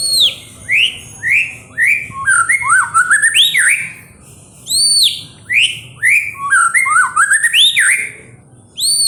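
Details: White-rumped shama (murai batu) song played as a lure to provoke other birds to sing: loud, varied whistled phrases of rising and arched sweeping notes. They come in clustered bursts separated by short pauses, with thin high notes mixed in.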